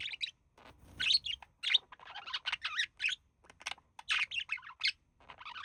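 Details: Male budgerigar imitating human speech while resting with his mate; fast, busy warble of squeaky chirps, scratchy syllables and rising twitters in short connected bursts.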